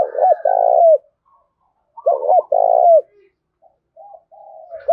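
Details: Spotted dove decoy cooing to attract wild birds: repeated phrases of a doubled note and a long hoarse coo about every two seconds, with a softer answering coo toward the end.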